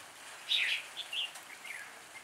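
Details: Red-whiskered bulbul in improvised song, heard a little distant: one bright warbled phrase followed by a few short, fainter chirping notes over a steady outdoor hiss.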